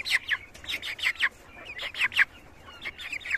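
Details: Cochin fowl housed in cages on a farm; sharp falling notes, often in pairs, repeated roughly once a second with brief pauses between groups.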